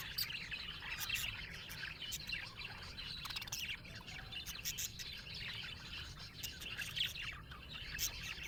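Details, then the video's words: Colourful Australian budgerigars, pet parrots, chirping happily: a dense, continuous chatter of short high warbles and clicks with scattered sharp ticks, several birds overlapping, over a low steady background hum. "Happy budgie chirping sound"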